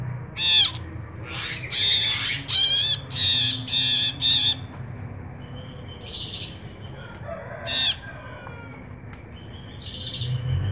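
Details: Actively singing ashy bulbul, a recording meant to train or lure birds: a rapid run of harsh, ringing, harmonic notes in the first half, then scattered single chirps and a late burst over faint hum.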